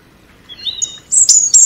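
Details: European robin singing: thin, high drawn-out whistles slide upward into brighter, sharp, very high notes, with two short bursts near the end.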